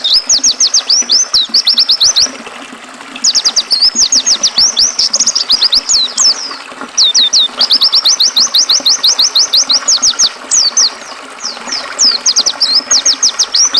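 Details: Oriental white-eye song paired with flowing river sound for tutoring caged birds: long energetic strings of sharp, high, rapidly delivered whistled notes, broken by short silences every few seconds, over a quiet watery hiss.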